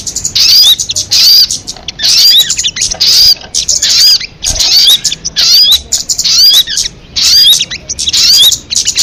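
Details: Crested jay from a call MP3 said to be most effective: loud, raspy, high-pitched bursts topped by sharp upward whistles, delivered in regular bouts about every second with clean pauses between.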